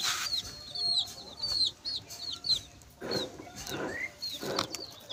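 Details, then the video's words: Chicks peeping in a busy stream of high thin chirps, some rising, mixed with lower soft thuds and rustles and a steady background hum. "Chicks Chirping"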